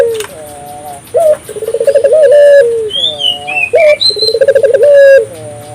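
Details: African collared dove in full voice, used to spur local doves into calling: low mellow coos with a trilling rolled middle section, while another bird adds thin high whistled notes between them.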